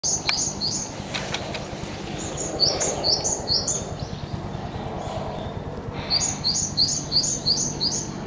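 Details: Two Japanese tits on a bridge give loud alarm calls, perhaps sensing something unusual: bursts of short, high, down-slurred notes, several per second, in repeated runs against a steady low background rumble; 18 April.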